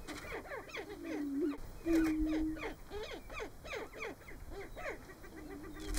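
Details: Greater prairie-chickens at a lek in Nebraska in March: low steady hooting booms around two seconds long sound beneath a busy chorus of rapid, clucking, downward-slurred cackles.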